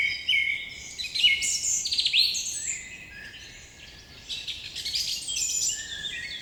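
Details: Birds chirping in the morning, several voices overlapping in busy high twittering, with quick trills and sweet whistled notes, quieter in the middle and then rising again.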